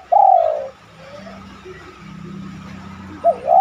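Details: Fragments of spotted dove cooing from a lure meant to make doves coo: a long descending coo, then the beginning of another phrase, over faint background noise.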